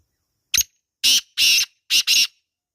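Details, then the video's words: Wild black francolin recorded in natural surroundings: one short sharp note, then two pairs of loud, harsh, grating buzzy notes delivered in quick succession. "Kala Teetar Ki Awaaz | Real Wild Black Partridge Sound | Jungli Teetar Calling"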